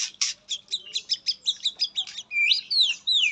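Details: Caged white-rumped shama, Indonesia, with katem song fill: a quick series of short chipping notes, then long sweeping falling whistles.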